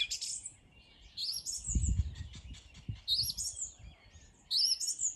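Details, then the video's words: Bird song at morning: high trilled bursts roughly every one to two seconds, with a low thumping noise in the middle. "Bird 🦅 singing 🎶 in the morning"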